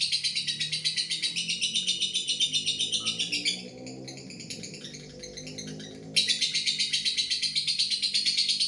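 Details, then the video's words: Lovebird singing a long ngekek trill, a fast chattering run of about four high notes per second that lasts for several seconds, briefly softens, then bursts back loudly, with music playing quietly underneath. "LB ngekek panjang"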